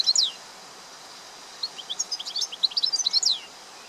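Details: Wild European goldfinch singing in nature: a quick, high twittering of short tinkling notes and slurred chirps, an opening flourish then a rapid run of bright syllables, over a soft steady outdoor hiss.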